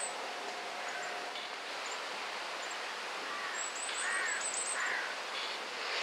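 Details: Common firecrest in autumn, late October 2013, in the Limousin region of central France. It gives very high, thin 'zit' notes, scattered at first, then a quick run of several, over a steady hiss and some lower, hoarse calls of another bird.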